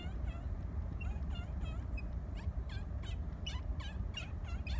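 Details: A pair of Laysan albatross exchanges loud chatter at the nest as one mate returns after about two weeks at sea. Quick, repeated nasal calls swoop up and down, sometimes several per second, over a constant deep background roar.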